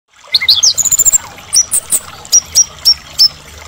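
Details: White-rumped shama of the Medan type, a constantly singing bird whose song is used to provoke other shamas into singing: a fast run of bright whistled and trilled notes, then sharp high notes spaced about a third of a second apart.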